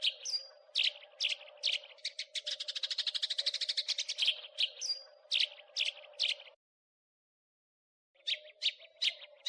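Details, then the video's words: House sparrow crecetan chatter meant for training songbirds: scratchy chirps and a thin whistle, a fast stuttering burst in the middle, then spaced chirps, a second and a half of silence, and more chirps, all over a low hum. "Master Kicau Gereja / House sparrow (Passer domesticus)"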